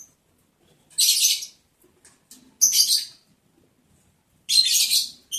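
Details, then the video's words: Lovebirds mating in the breeding season, day 11 of breeding progress, recorded July 11, 2022: three separate loud, raspy, shrill chirps, each about half a second long, spaced roughly two seconds apart, with soft rustling between. "sound love birds Mating"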